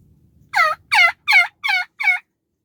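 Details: Wild Turkey tom gobbles, five quick rattling throaty notes in a burst under two seconds over a faint low rumble; spring turkey season, pasture near a river with sandhill cranes around.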